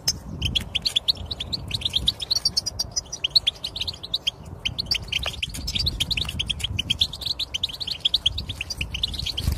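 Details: European goldfinch singing, a recording meant to coax a silent goldfinch into song; rapid repeated chirps and tinkling twitters pour out almost without pause, bright and high, over soft low background noise.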